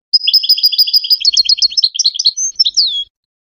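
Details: Goldfinch song for teaching hybrid chicks: a long, rapid, rippling twitter of paired high notes that speeds into a jumble, then a clear whistle and a closing drawn-out falling note. The background is clean.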